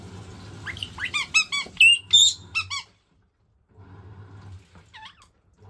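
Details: Pet white-bellied caique excited by a running washing machine indoors: a burst of quick high squeaky chirps and shrill whistles, then a pause and one more squeak over the low hum of the machine.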